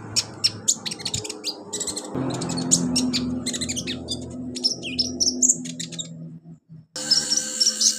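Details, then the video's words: Olive-backed sunbird training song for young birds: fast strings of high chirps, buzzy trills and rising-falling whistles over steady low background noise. "MASTERAN KONIN/KOLIBRI NINJA buat konin pemula cepat gacor"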